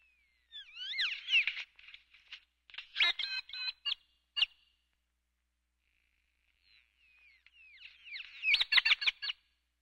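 Great-tailed grackle giving two bursts of sliding, squeaky whistles followed by harsh, clattering rattles and clicks, separated by a quiet pause.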